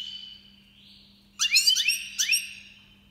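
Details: Breeding-season song of an Iranian Goldfinch Major, 2022: a sustained thin tone gives way to three quick bursts of rising, twittering notes, over a steady low hum.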